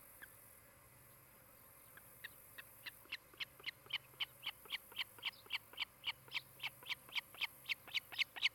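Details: Osprey at a nest in Charlo, Montana, filmed by a nest camera on a July 2018 afternoon; a pair building a new nest near a Great Horned Owl family. After two quiet seconds, sharp whistled chips come about four per second, growing louder, over a faint steady hum.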